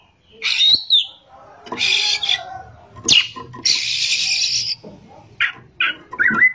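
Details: Oriental magpie-robin (kacer) in ngerol and nembak song: harsh rasping bursts alternating with short whistled slurs and sharp clicks.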